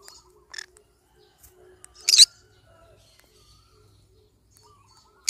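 A pineapple conure gives three harsh, raspy screeches, one short and two louder bursts, spaced a few seconds apart, with quiet faint chatter in between.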